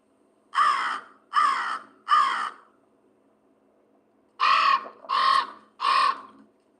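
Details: A common raven in Vermont gives harsh, hoarse calls in two sets of three, each a short grating croak about half a second apart, over a faint room hum.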